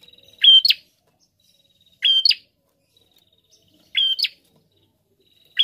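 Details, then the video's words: A prinia delivers its phrase again and again, about every two seconds: a thin high steady tone snapping into a short buzzy rising flourish, clean and loud. "Prenjak Gacor"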